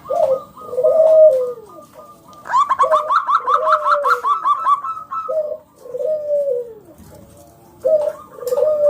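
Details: Loud local zebra dove singing to prompt other doves: falling coos, then a fast rattling run of staccato higher notes, then more descending coos.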